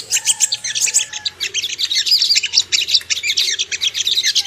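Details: Ruby-cheeked sunbird song used as a lure to make birds aroused and aggressive: dense, rapid high-pitched chirps and twitters in an unbroken stream, with a faint low hum underneath.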